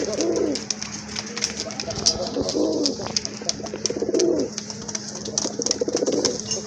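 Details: Pigeons in a kept collection coo in deep, rolling bursts, four phrases spaced a little over a second apart, with a constant low hum and scattered sharp clicks and knocks around them.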